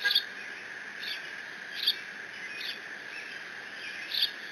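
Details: Young bald eagle alone in its nest at Decorah on 30 June 2017, squeeing while mantling a fish its father delivered, recorded on a live nest camera; sparse, high, sharp squeals about a second apart over steady camera hum.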